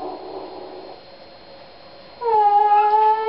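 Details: Male pet Eclectus parrot (Eclectus roratus) singing one of his own made-up songs: a drawn-out, steady, slightly wavering note, rich and almost human in tone, after a soft breathy murmur.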